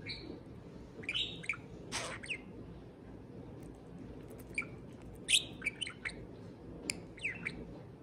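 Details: Caged pet parakeet singing toward a can of beer. Softer scattered chirps and squeaky whistles, one harsh burst near the start, then a run of tiny clicks and high notes.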